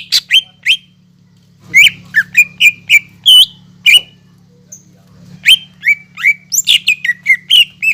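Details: Energetic song of a greater green leafbird, played to trigger singing in leafbirds that have gone quiet: short chirps, a silent gap, then dense bursts of sharp, bending whistles and squeaky notes, with a low hum throughout.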